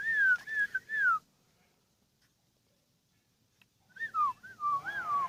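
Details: Kept sooty-headed bulbul, ten years old: a few looping whistles, a long silence, then a twisting, falling whistled phrase.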